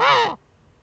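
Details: Nesting female Eurasian eagle-owl, northern Rhineland-Palatinate, Germany, 5 May 2013, while scratching in the nest niche; one short, loud, hoarse screech lasting about a third of a second, then quiet.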